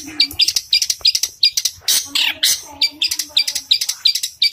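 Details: Long-tailed shrike in fighting song, a sparrow-style variation: rapid chattering bursts of sharp high notes, some bright peaks, with lower harsh chirps repeated nearly three times per second.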